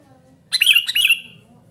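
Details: Sooty-headed bulbul giving a noisy call: two quick rasping chattery notes run together, the second slightly longer and trailing off, over a soft low background rumble.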